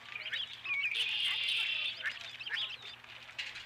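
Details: Osprey at its ranch nest with a fish, 12 April 2017, early evening: a sustained high, shrill chirping burst lasting over a second, with fainter scattered chirps and a steady low hum underneath.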